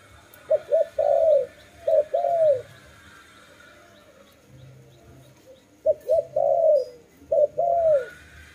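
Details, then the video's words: Dove repeating its low call: two or three clipped notes, then a drawn-out descending coo, delivered in separate bouts with quiet gaps between. "Lovely dove/ lovey sounds"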